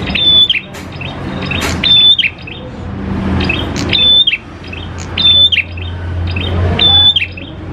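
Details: Prinia lure song: fast clusters of high chirps, each closing with a clear level whistle, repeated roughly every second or two over a low droning hum.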